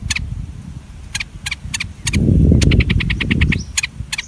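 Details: Bulbul chicks on their first day after hatching, while their mother feeds them: scattered sharp chirps, then a quick train of rasping notes with a brief rustling thump, ending in a thin whistle.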